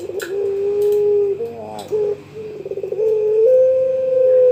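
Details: Young pelung-type Barbary dove summoning a rival: low rolling coos broken by quick stuttering pulses, ending in a long, steady, slightly higher held note; faint clicks and a background hum.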